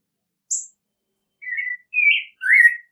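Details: American robin: a faint high note, a pause, then three rich, whistled carol phrases in quick succession, the last sliding downward.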